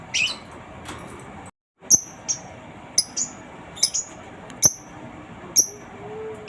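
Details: Lovebird ngetik, in a master recording meant to get other lovebirds singing: a string of short, high, ticking chips at irregular intervals, with a brief silent gap early on.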